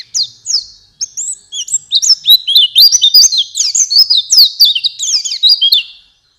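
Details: Oriental white-eye song meant to lure caged birds into singing: a loud, fast, unbroken chatter of very high, sweet, looping notes, tightly packed and lively, over a clean quiet background.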